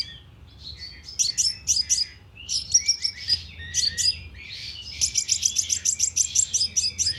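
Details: Loudspeaker lure of a sunbird: varied high chips and short twittering phrases building into a long, fast series of sharp repeated notes near the end.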